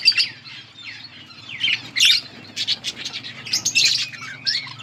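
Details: Budgerigars of bright colours giving separate high chirps and short squawky notes, some with rising or falling slides, spaced unevenly over a low constant hum.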